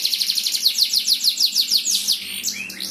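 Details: Champion canary in full song, meant to spur other canaries to sing: a fast run of sharp repeated high notes, about a dozen in quick succession, ending in a couple of rising whistles.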